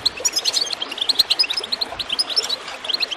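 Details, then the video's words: Rapid goldfinch twittering meant to coax birds into song: crisp high chirps follow one another several times a second, bright and tinkling, over a faint hiss of running water. "Water gurgling with goldfinch chirping to encourage birds to song"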